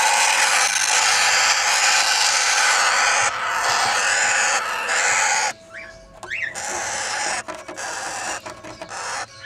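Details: A two-year-old Red-winged parrot pair with 20-day-old chicks from their first breeding. Continuous rasping, hissing calls give way to quieter, broken notes with a few short rising squeaks near the end.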